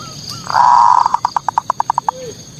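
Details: Zebra dove song serving as a lure to provoke rival doves: one sustained rolling coo breaking into about ten evenly spaced staccato pulses that slow slightly toward the end. A soft low swoop follows.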